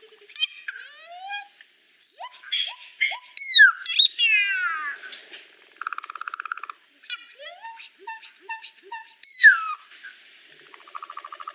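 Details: Varied solitary cacique singing with nasal, mewing downslurs, rapid buzzy rattles and bright slurred whistles, strung together irregularly over about eleven seconds.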